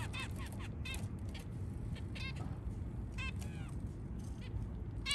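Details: White zebra finches early in the morning give short, nasal, toy-trumpet calls in scattered bursts, several in the first second, then every second or so, over a steady low rumble.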